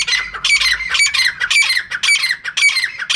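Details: Female francolin (teetar) lure call: a short burst of loud, rasping, squawky notes repeated quickly, close together, with a clear ringing edge.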